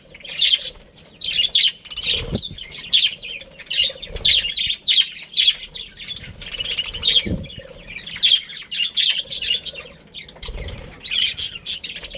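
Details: Budgerigar family in steady high chattering, with rapid scratchy chirps and warbles following one another over twelve seconds, a few short gaps and occasional soft thumps.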